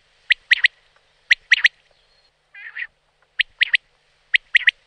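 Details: Wild common quail song: two quick, whistled three-note phrases, a low nasal double mutter, then two more sharp triplets about a second apart, in a quiet setting.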